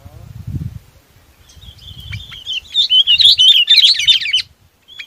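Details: Chinese babax calling its flock. Low rumbling noise at the start, then a thin note grows into a fast, tumbling series of chirps and warbles.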